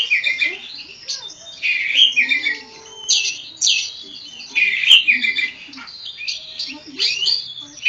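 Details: Oriental magpie-robin, kacer poci from Java, in full ngobra song: jumbled high chattering, scratchy notes and clear whistles in irregular bursts, a sharp click near the middle, and soft lower twittering between phrases.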